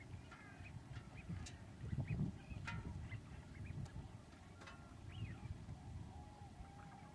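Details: Migrating common cranes in February 2011 at Lac du Der, France, part of a wave of tens of thousands leaving Spain: scattered short bugling calls through the clip, one clear looping call near the end, beneath constant low rumbling wind.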